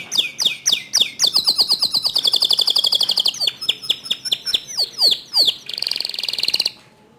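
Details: Canary song used as a master recording to prompt other canaries to sing: rapid repeated descending whistled notes, then fast even trills and chattering rolls, ending in a dense buzzy high trill, loud and continuous with no other sounds.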